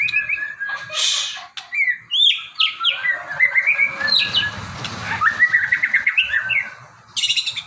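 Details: Magpie-robin kept in a cage, singing a lively varied song of whistled phrases, with quick rising slurs, rapid repeated notes and a few harsher high bursts, over faint low background rumble.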